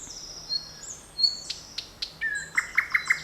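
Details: Birds singing in a forest on 7 May 2020: high thin whistles and sharp chirps, ending in a rapid series of five bright, evenly repeated notes in a quiet setting.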